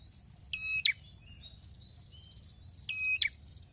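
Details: Red-headed prinia in active song: two raspy, buzzing phrases with clipped endings, over a softer background of thin, wavering whistles from other birds.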